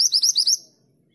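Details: A female mantenan gunung calls for a male with a rapid run of five sharp, rising high-pitched chirps over about half a second, fading into faint background hiss.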